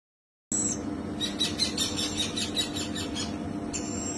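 Red-collared lorikeet giving a fast run of harsh, high, screechy chirps, about four a second, over a steady low mechanical hum.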